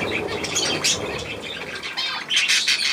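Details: Young budgerigars with adults near millet, 3 May 2024: bright squawks and chirps overlap in rough bursts, ending with louder, harsher calls.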